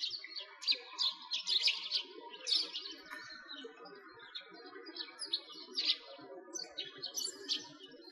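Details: Several sparrows chirp around a frozen lake during a winter walk in Bratislavsky Park, Moscow, Russia, in 2022. Sharp, high twitters come in uneven clusters about once a second, over a soft background hum.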